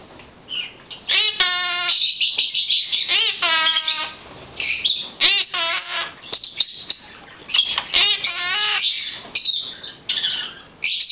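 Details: Blue-headed conure talking in quick runs of voiced, word-like syllables, some long and bending in pitch, interspersed with shrill squawks and chirps, almost continuous for about eleven seconds.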